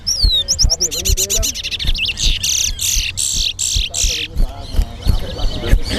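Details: Chestnut-bellied seed finch, known in Guyana as towa towa, sings in a competition at the national stadium. Rapid repeated whistled notes lead into loud buzzy rasping phrases, with faint voices behind.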